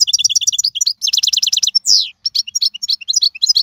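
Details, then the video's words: European goldfinch from the wild, season 2022, pouring out continuous high twittering: rapid paired chirps, a brief falling buzzy note, then varied sparkling notes. "اقوى مقنين خلوي - هذا الحسون الاقوى في 2022"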